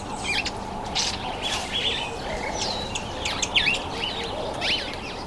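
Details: Red-billed wood hoopoe, described as a very noisy bird, at a feeding table; a series of short, sharp chirps and squeaky notes, scattered and overlapping, over steady broadband background hiss.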